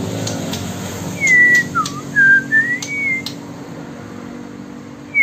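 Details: From Bengkulu comes a white-rumped shama of Sumatran origin, giving a phrase of four or five pure whistles that fall and swoop upward, set among sharp clicks and a steady background hum.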